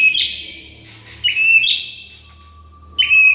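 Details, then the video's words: White-rumped shama training song: three loud high whistled bursts spaced about one and a half seconds apart, each fading into a lingering tone, with a thin steady lower whistle between them. "HITUNGAN DETIK MURAI BISU BAKAL RESPON GACOR DENGAR MASTERAN MURAI BATU INI"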